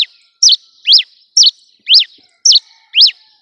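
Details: Cravina from Rio Grande do Norte, Brazil, singing while perched on a hand: loud, high whistled notes about twice a second, alternating a sharp downslurred chip with a rising-then-falling arched note, over a quiet background.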